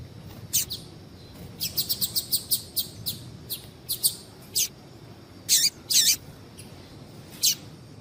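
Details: Double-collared seedeater female call used to excite males into song: irregular bursts of sharp high chirps, a rapid stuttering run in the middle, then spaced louder notes, over quiet hiss.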